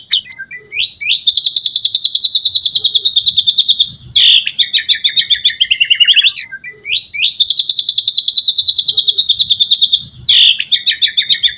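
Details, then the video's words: White-rumped shama delivering mimicry-laden song to encourage other shamas to sing: long fast rattling trills at high pitch, each about three seconds, interrupted by harsh scratchy bursts and brief jumbled notes before the trill resumes. "murai batu gacor full isian"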